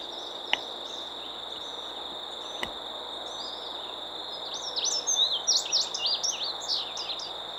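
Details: Indigo Bunting singing at Manassas National Battlefield Park, Virginia, near woods, later flying off toward pine trees: quick run of high, sweeping, often paired notes rising and falling over about two seconds; steady insect drone and two sharp clicks before.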